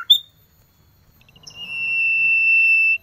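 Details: Male Common iora calling to attract a female, in the cold season: a quick high chirp, then after a pause a long, steady, pure whistle held about one and a half seconds.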